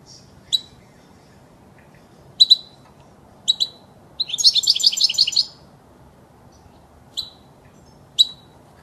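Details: Goldfinch song meant for tutoring young birds: sharp single chirps spaced a second apart, broken by a dense twittering, tinkling phrase about a second long, then more isolated chirps.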